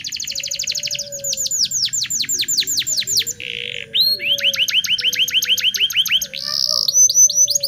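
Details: Local canary singing energetically, used for teaching young canaries their song: rapid trills, rolling series of steeply falling whistled notes, a short raspy buzz, then more quick repeated sweeps and a dense trill.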